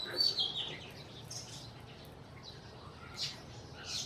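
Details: Sparrows in Burma giving a few short, high chirps, a quick cluster at first, then scattered single notes over a steady soft hiss.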